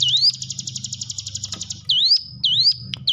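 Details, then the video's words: Hill prinia singing, meant to stimulate cage birds that stay quiet: a rising slur leads into a fast, even high trill, followed by three loud upward-sweeping whistles about half a second apart over low background rumble. "ciblek gunung diam saja kurang loss mental ciut latih dengan pancingan ini"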